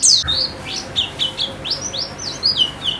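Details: White-eye song used as therapy to get birds singing steadily: sparse, thin, high chirps and downslurred whistles, short notes spaced about a quarter-second apart, faint low hum beneath.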